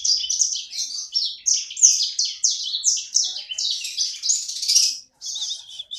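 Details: Small pet sanger bird in full, energetic song: a fast run of high, sharp chirps and slurred twittering notes pouring out almost without a break, with a short gap near the end.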